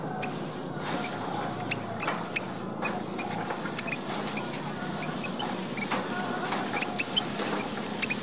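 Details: Red munia, a tiny Papuan bird, giving high squeaky chips for luring other birds: short sharp notes roughly every half second against a steady shrill background hiss.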